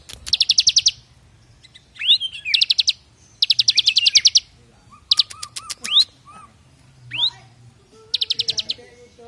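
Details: Bar-winged prinia, semi-active singer used as a training model for other birds: bursts of rapid, buzzy trilled notes repeated every couple of seconds, mixed with sharp rising whistles and short chips.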